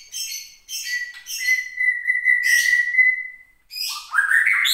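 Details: Captive white-rumped shama from Mount Leuser, Aceh, singing when provoked by contest sounds: scratchy high bursts leading into a long steady whistle, then a rising buzzy phrase.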